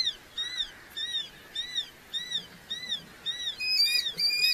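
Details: Red-footed falcon at a nest in Polgár, Hungary, giving high, thin arched notes, each rising then falling, repeated roughly every half second and growing louder and busier near the end.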